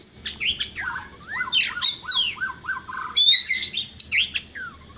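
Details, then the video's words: Oriental magpie-robin (Copsychus saularis) singing in the morning: varied, sweet whistled phrases with slurred notes and a run of four quick falling whistles, mixed with scratchy chirps; other birds call faintly behind. "Natural Sound of Birds Singing|Oriental Magpie-Robin"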